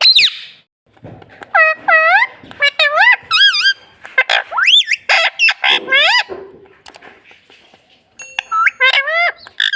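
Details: Pet parrot imitating "mummy" and "papa" in a burst of rapid, rich, harmonic syllables, each bending upward like a swoop, repeated in quick runs with short pauses and a few clicks between.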